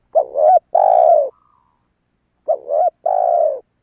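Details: Spotted dove cooing to attract wild doves: two clean phrases, each a brief wobbling note then a longer warm coo, separated by about a second of silence.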